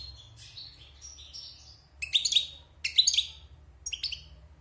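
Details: Wild European goldfinch, caged after its moult and about six months in the cage, giving brief bursts of high, tinkling twitter between quiet pauses, with three short clusters of bright notes in the second half.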